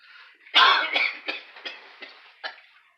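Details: Sunny, an Indian ringneck (rose-ringed) parakeet, mimicking his owner's cough after the owner was sick for three days: a harsh raspy cough, then five or six shorter hacking coughs about every half second, fading out.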